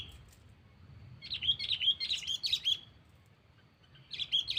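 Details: Sooty-headed bulbul calling a rival, used as a lure to attract birds without a trap. Bubbly, liquid chirping phrases in rapid bursts lasting about a second and a half, a pause, then another burst begins, over quiet low hum.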